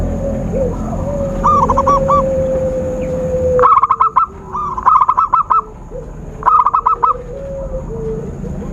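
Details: Zebra dove trapping lure: a soft stuttered coo, then a louder cluster of three fast clipped bursts of bubbling notes, with a sustained low tone running underneath.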